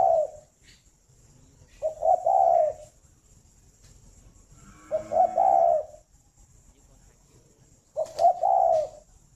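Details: Morning cooing of a farm-kept spotted dove in Ba Vì, Hanoi, Vietnam: three low, mellow, rolling coo phrases spaced about three seconds apart, with a faint whistled note near the middle phrase.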